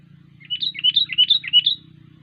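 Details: Kutilang, the sooty-headed bulbul, singing gacor style: a short phrase of five or six liquid, rising and falling whistled notes in under two seconds, over a steady low hum.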